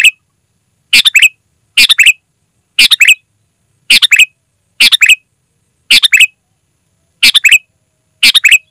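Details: Sooty-headed bulbul, loud and clear, recorded without other birds mixed in, for calling wild bulbuls in forest: about ten quick chirpy phrases of three to four notes, repeated roughly every second.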